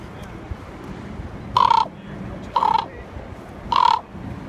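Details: A common raven gives three harsh, hoarse croaks, each brief and about a second apart, over a low rumbling background, in Juneau, Alaska, on 2 June 2018.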